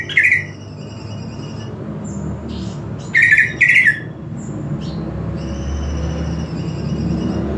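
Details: Greater green leafbird song used as master audio for training other leafbirds: short bright chattering bursts, one near the start and a double burst mid-way, over a steady low hum.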